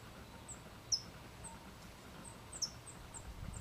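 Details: Newborn California towhee in its first few hours out of the nest, with parents nearby teaching it: thin, very high chips repeated irregularly about once every two seconds, a few louder, over faint low outdoor rumble.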